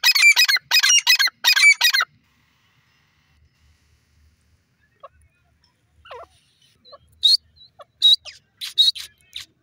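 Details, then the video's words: Grey francolin (teetar) in a happy mood, natural voice: three loud, harsh, rich-toned bursts crowd the first two seconds, then near silence with faint thin notes, and a run of short sharp high notes follows near the end. "pheasant bird teeter happy awaaz"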